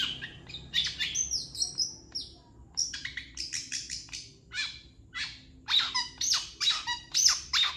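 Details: Long-tailed shrike master song meant for tutoring other birds. A lively, varied run of sharp chirps, buzzy notes and brief whistles comes in uneven bursts about once a second, against a quiet background.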